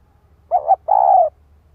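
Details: Spotted dove decoy cooing to excite a male: a wavering two-part coo followed by a long, evenly trembling coo, heard clearly against near silence.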